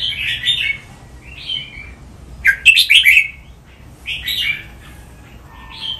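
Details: Caged red-whiskered bulbul in a song-training recording in the playful counted-phrase style: bright warbled phrases of rising and falling whistles arrive about once a second, with one louder, sharper burst in the middle.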